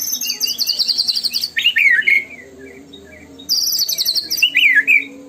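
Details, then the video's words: White-rumped shama singing loudly: fast high-pitched rattling trills alternate with swooping, zigzagging whistled phrases, with a quieter pause between the two bursts. "PUTAR PANCINGAN MURAI BATU INI LANGSUNG BUNYI GACOR FULLISIAN!"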